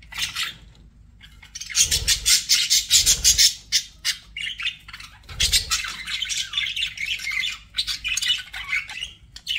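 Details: Pet budgies pour out fast, rattling chirps and squawks, several notes a second, broken by a brief quiet spell and a few low thumps.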